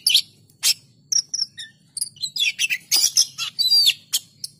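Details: Oriental magpie-robin in energetic gacor song: a rapid, varied run of high sharp chirps, clear whistles and buzzy trills tumbling one after another with barely a pause, over a faint low background murmur.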